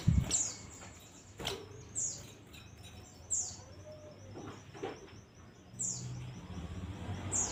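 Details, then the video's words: Oriental white-eye giving thin, very high, slightly falling chirps every one to two seconds, with a faint trilling thread between them over a low background rumble. "zosterops bird sound"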